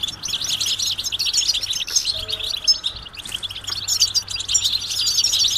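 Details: Many goldfinches twittering together, mating and readiness calls used to rouse males into singing; a thick, unbroken stream of sharp, high tinkling chirps and short trills layered over one another, over a soft low hum.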